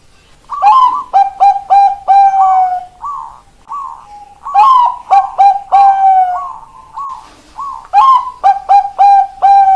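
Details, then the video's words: Bangkok zebra dove repeating its keok kok kok kok phrase three times, each a rising keok followed by clipped kok notes and a trailing coo, used to prompt lazy doves to sing. "Perkutut Bangkok keok kok kok kok cocok buat pancingan perkutut malas bunyi"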